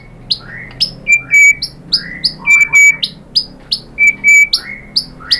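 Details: White-rumped shama lure song for getting another shama to sing. Loud, ringing whistled phrases repeat steadily, about one every second, mixing sliding notes with flat, pure tones.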